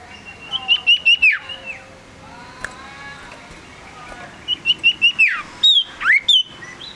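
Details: Male common iora, a tame and actively singing small yellow bird, giving bursts of four or five clear whistled notes near one pitch that end in a sharp downward slur, two bursts separated by a quiet gap.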